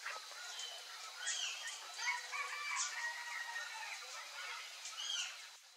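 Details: Wild, free-living curl-crested jays in a busy chatter of overlapping calls: harsh notes, short whistles and sharp downward-sweeping squeals, several birds calling at once.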